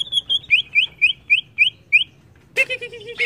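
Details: Greater green leafbird agitated by a lure: a run of seven rising whistled notes in quick series, then a harsher, buzzy burst of mixed chatter at the end.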